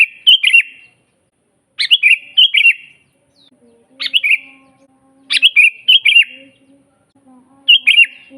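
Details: Lively sooty-headed bulbul, natural song used as a master for bulbuls that rarely sing: quick bubbling phrases of whistled notes coming in irregular bursts, with soft low droning tones underneath.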